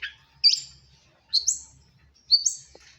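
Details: Caged Long-tailed Shrike of the Madura type, singing loudly: three separate sharp whistled phrases about a second apart, each a quick upward slur into a high ringing note, with faint low background hum.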